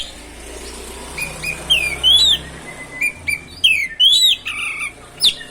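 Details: Oriental magpie-robin (kacer) singing to provoke other birds into song: thin steady whistles, then loud arched whistled notes and sharp clicks in irregular bursts over a faint background hiss.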